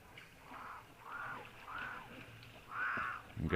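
Cape Crow giving four harsh, drawn-out caws spaced under a second apart, with a narrator talking in the background.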